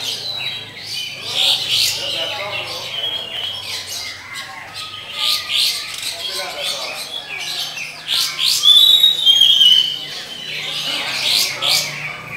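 Oriental magpie-robin giving a loud, varied song of harsh scratchy bursts mixed with a few clear high whistles, delivered in quick succession over a faint low hum.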